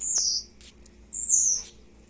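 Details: Blue-black grassquit, a captive bird recorded in the morning, gives a very high buzzy phrase followed by a longer sustained high buzz that slides down, over a low steady hum.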